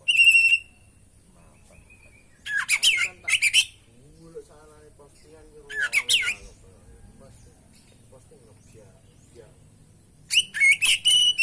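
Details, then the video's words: Oriental magpie-robin, kacer, singing steadily in a training and trigger recording: an opening clear whistle, then spaced bursts of scratchy, buzzy phrases, with faint soft low warbling between them and a lively whistled finale. "masteran pancingan burung kacer gacor isian bongkar"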